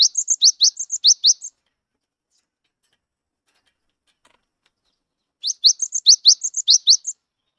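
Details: A wild-caught gelatik wingko Cinereous tit sings to coax silent birds into singing. A fast phrase of rising chirps and high, flat notes is followed by a long silence, then a second similar burst.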